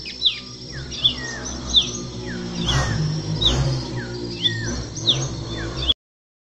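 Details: Masked cardinal singing: a string of sharp, high chirps and short down-slurred whistled notes, repeated about every half to one second, over steady background music.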